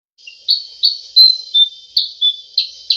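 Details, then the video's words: Sooty-headed bulbul giving a 'cep cep' call used for luring birds: sharp, high chirps repeated about every third of a second, some with brief slurred whistles between them, on a quiet background. "Cep cep burung kutilang sutra SUPER GACOOR BUAT PIKAT"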